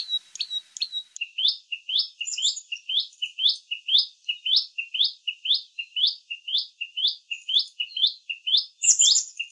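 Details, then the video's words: Common tailorbird, a small bird of bushes and gardens in India, giving constant chirps: rapid two-note chirps, a high note dropping to a lower one, repeated about twice a second in a steady run. "SOUND of Common Tailorbird"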